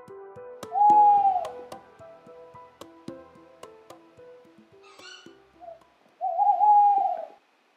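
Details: Tawny owl hooting on a winter night in forest, where a pair later nested in a nestbox and courtship had begun: a long, level hoot, then after a pause a quavering hoot phrase, over soft plucked background music.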